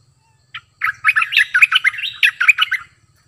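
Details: A cream-vented bulbul kept as a new decoy bird delivers a rapid, jumbled warbling chatter of bright slurred notes lasting about two seconds after a single lead-in chirp, over a soft low rumble.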